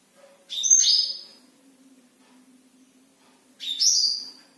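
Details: Black-throated canary heard at night: two short separate bursts of high twittering and whistled notes about three seconds apart, quiet between them except for a soft low electrical hum.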